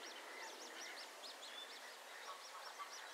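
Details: Eurasian coots at Het Vinne, Zoutleeuw, where an adult scolds its chicks; a rapid series of thin, high, arched peeping notes, each quickly rising then falling, repeated several times a second over steady background hiss.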